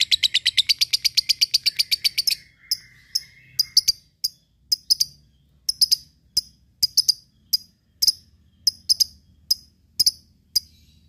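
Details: Lovebird ngekek song, used to provoke rivals and train fighter birds: a fast trill of high notes for about two seconds, then scattered sharp ticks and short chirps at irregular intervals.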